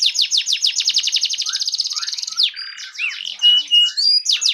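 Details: Fan-tailed canary singing as a tutor song for other canaries: a fast run of repeated descending high notes, about three to four per second, then buzzy phrases, pure whistled slurs and rising sweeps.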